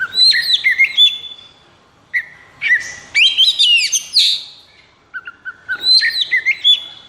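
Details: Oriental magpie-robin (kacer) in 'konslet' state, high breeding drive and emotion, used as a tutor recording for birds that have stopped singing; loud varied whistled phrases with sharp rising and falling notes, broken by short pauses.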